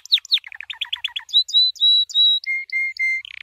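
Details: Training song from a white canary: sharp falling chirps and a quick stuttering trill, then long level whistled notes at two pitches, each repeated three or four times.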